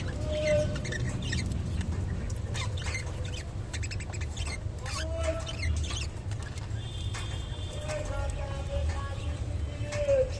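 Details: Japanese budgerigars eating kolmi shak give short chirps and scratchy warbling chatter over a steady low background hum.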